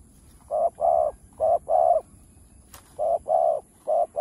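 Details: Spotted dove, a bird of Vietnamese farmland, giving chiêu, thúc and gù coos: paired short and long mellow hoots in steady groups, with one sharp click partway through.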